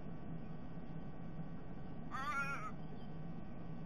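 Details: A single short, harsh, nasal raven call, rising then falling, over a steady low hum. One of three ravens, apparently parents with a begging fledgling, eating the eggs in a sea-eagle's nest in December 2021.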